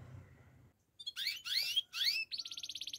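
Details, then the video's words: Russian canary song with bursts of dense, bubbling rising notes after a quiet start, followed by a quick pulsed trill repeated several times a second. "Canary birds chirping - Russian canary song"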